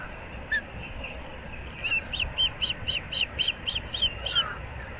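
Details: Osprey from a long-established nesting pair in Naples, Florida, mid-April dawn: a lone chirp, a short pause, then about ten clear whistled yelps in a rapid accelerating run, low background noise throughout.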